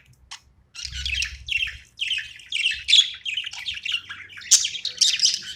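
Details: Playing budgerigar starting with a few clicks, then a continuous run of buzzy, squeaky warbles and chirps that grows louder toward the end, with a soft low hum underneath.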